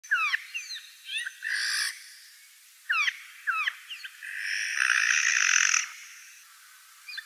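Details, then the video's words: Eurasian jay in the Wittlich valley on a 2018 morning, giving harsh rasping screeches of about a second, between quick downslurred notes of other birds. "Eichelhäher am Morgen"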